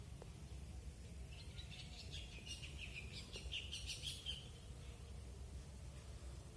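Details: Birds calling outdoors with a burst of high, thin chirps and twittering notes that cluster between roughly one and a half and four and a half seconds, over a steady low rumble of background noise.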